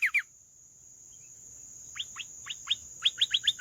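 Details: Canary with quiet rising chirps spaced irregularly, then a quicker series of sharp upward notes, against a steady high tone and low background noise.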